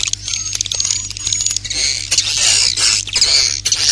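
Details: Swiftlet 'inap plus' lure for roosting. Sharp high chirps repeat about twice a second, then swell into rasping, buzzy twitters, over a constant low electrical hum.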